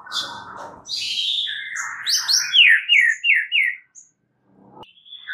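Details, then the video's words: Energetic white-rumped shama song with buzzy opening notes followed by a series of sharp, downslurred whistles repeated about five times a second, then a short pause and a final whistle. "MASTERAN untuk Murai Batu Stress , dijmain langsung SEMBUH plus GACOR seketika"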